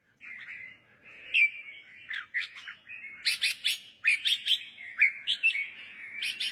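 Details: Red-whiskered bulbul singing steadily, played so young birds can sing along. Continuous warbling whistles punctuated by regular groups of sharp, high chirps.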